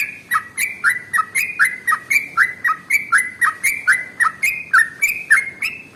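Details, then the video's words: Long, dense song of a sooty-headed bulbul (trucukan), played to coax other birds into singing; chattering pairs of short whistled notes, a lower slurred note then a higher flat one, repeated steadily about twice a second. "SUARA Trucukan ropel SUPER PANJANG paling AMPUH untuk PANCINGAN burung gacor"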